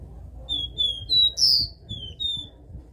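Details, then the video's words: Caged capped seedeater singing the classic three-note 'dó' song: a single phrase of pure, level high whistles followed by a louder, sharply rising final note, then two softer trailing whistles over a faint low background hum. "CABOCLINHO CANTO DÓ 3 NOTAS CLÁSSICO"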